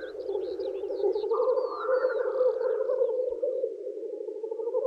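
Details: Black grouse males at a spring lek courting females, their steady bubbling murmur rolling on without pause, a brief extra layer swelling mid-clip, and small birds whistling high over it.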